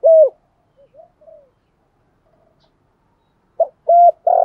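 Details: Spotted dove pair, male and female, in gù thúc cooing that excites other doves: one clear short coo, a few faint soft notes, a long quiet gap, then a quick note, a short coo and a sustained one.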